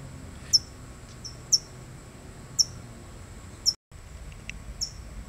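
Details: California towhee guarding a chick: sharp, very high, thin chip notes, each a brief downward flick, given about once a second with uneven gaps, over a steady faint high hiss and low background rumble.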